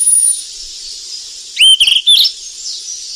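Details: Golden flycatcher feeding its young in the wild: a short burst of three or four bright, ringing chirps midway, set against a continuous thin hiss.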